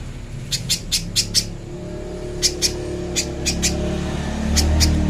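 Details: Little spiderhunter recorded as a clear master song for training other birds: short, sharp, high chips in loose bursts of two to five, with pauses between groups, over a steady low hum.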